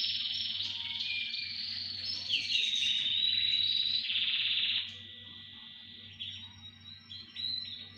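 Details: Several canaries singing together: loud rattling trills and sweeping whistled notes for about five seconds, then softer scattered whistles and thin tones, with a steady low hum beneath.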